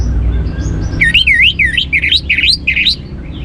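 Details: Orange-headed thrush song for prompting other birds to sing. A series of looping, rolling whistles rise and fall in quick wavy figures, about eight in two seconds, over a low hum.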